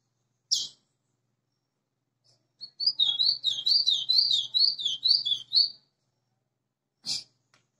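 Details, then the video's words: Caged white-throated seedeater, newly arrived, gives one sharp chip, then a three-second run of fast warbled whistles and twitters rising and falling, followed by another sharp chip; faint low hum in the room. "GOLINHA ASSOBIANDO LINDO"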